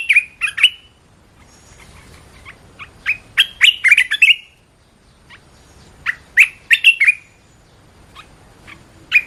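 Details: Training song of a caged red-whiskered bulbul: bursts of quick, bright, warbled notes separated by pauses of a second or two, with phrases building to dense, rolling clusters of slurred whistles.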